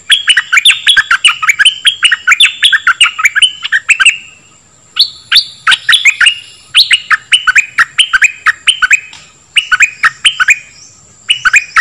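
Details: Dok taeng bird song for training young birds and exciting birds: long, sustained runs of rapid, crisp chirps broken by short pauses, with a faint steady high tone throughout.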